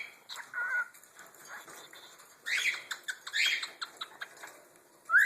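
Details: Pet cockatiel Chipper, asked to imitate a cricket, gives a string of chirpy, buzzy notes and clear whistles; his parents chirp in the background.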